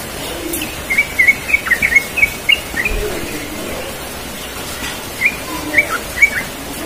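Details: Relaxed rolling 'ropel' song of a yellow-vented bulbul in the morning: a run of quick liquid notes, some rising and some falling, then a quiet gap before a shorter closing phrase of three notes.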